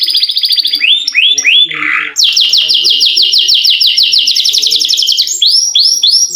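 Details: Long rolling canary song used as a prompt for reluctant singers, opening with a rapid trill and rising slurs, then a long fast series of sharp high descending notes ending in looping whistles.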